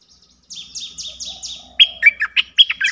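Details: Streak-eared bulbul singing: five quick, sharply down-slurred whistles in a steady series, then a burst of loud, bright, chirpy notes rising and falling. Close and clear, with no other birds.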